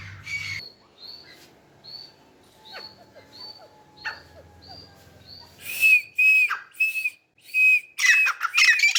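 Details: Grey francolin playing in mud, giving short, high squeaky notes, soft at first, then louder shrill calls repeated about twice a second toward the end.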